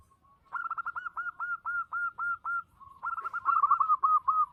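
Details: Zebra dove of a local Indonesian type, called a big-voiced active singer, gives two long runs of rapid rolling coos. The runs accelerate into dense stuttering notes.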